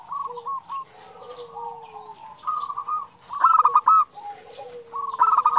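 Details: A female zebra dove calls the male with repeated quick, tumbling coo phrases that grow louder toward the end. Lower drawn-out falling whistles sound beneath them.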